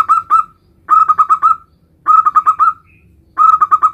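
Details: Male zebra dove of a local strain calling its mate with repeated bursts of four to five rapid, rolling cooing notes, each phrase about half a second long, separated by short pauses.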